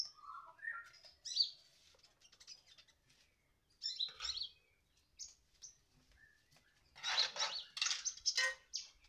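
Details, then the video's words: Sunbird song: high, thin chirps and short trills scattered at first, then a louder burst of rapid, buzzy twittering notes near the end, set in a quiet indoor room. "kolibri/konin,, super gacoo,,,rrr,,"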